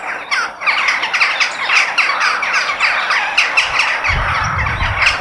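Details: Crows in nature, a dense chorus of harsh, overlapping squawking calls repeating rapidly, with a low rumble joining near the end.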